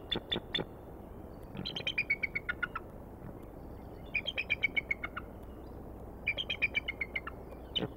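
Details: Bald eagle at Decorah, 21 April 2019, late afternoon, giving high, chittering piping calls. Rapid series of sharp notes fall slightly in pitch, about four per second, repeated in three bursts over a low steady hiss.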